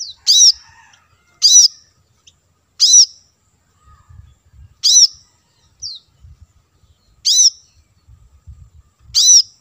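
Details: Plain-throated sunbird, the kolibri kelapa, played as bait for wild birds: loud, piercing downslurred notes repeated roughly every one and a half seconds, with faint low rumbles between them.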